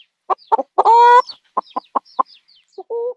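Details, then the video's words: A few short, husky clucks lead into a loud, sustained, nasal squawk. More evenly spaced clucks follow, and a shorter squawk closes the clip. Faint high chirps sound in the background. "CHICKEN SOUND"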